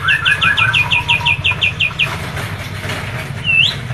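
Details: Medan-type kapas tembak white-eye in a crisp trill of about a dozen rapid high notes, ending in a single rising whistle, against a low background drone.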